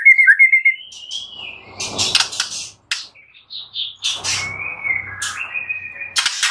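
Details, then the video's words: White-rumped shama master recording for training birds: a quick trilled phrase, then thin rising whistles and scattered chirps interrupted by rustling and knocking noises. "Masteran murai batu full isian suara jernih || Pancingan kicau murai batu agar gacor"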